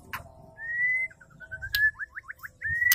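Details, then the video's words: Female white-rumped shama sound used to stimulate male shamas; a drawn-out clear whistle, soft short notes, a quick run of falling slurred notes, then another long whistle, with sharp clicks between. "tercepat semua murai bisa gacor pancing dengan suara murai betina gacor"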